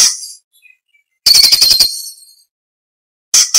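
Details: Orange-bellied leafbird song, recorded as training material for other songbirds: a harsh note, a brief pause with faint tiny chips, then a dense rapid buzzy rattle of about eight pulses, trailing off before another harsh burst.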